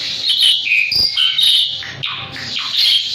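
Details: Asian pied starling, a jalak suren singing constantly. Dense, rapid, scratchy chatter mixes with squeaky and buzzy notes in quick succession with barely a pause.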